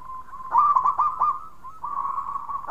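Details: Zebra dove of the local type, singing steadily as a lure bird for other doves: a quiet hum that breaks into a fast run of bubbly coo notes, then a sustained rolling trill.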